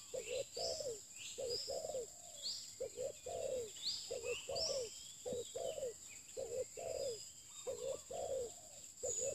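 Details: Low, mellow cooing of a spotted dove in a luring setting. The notes come in short bursts of two or three, with brief gaps between bursts. Faint bird chirps and a steady high whine are in the background.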